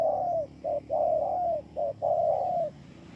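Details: Spotted dove at Bờ Y, Kon Tum, 28 November 2017: mellow low coos in short-long pairs, the long notes drawn out and gently falling, with a steady low hum behind.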